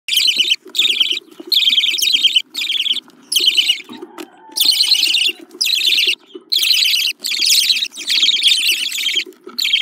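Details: Budgerigar chicks giving harsh, raspy, high-pitched begging bursts in rapid pulsing runs of about a second each, broken by short pauses, with a faint low hum underneath.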